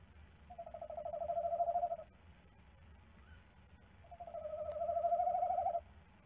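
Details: Tawny owl (Strix aluco) at night giving two long, quavering, mid-pitched hoots, about 1.5 seconds each, spaced a couple of seconds apart over faint hum; at a nest box, female out briefly while male guards eggs, breeding season.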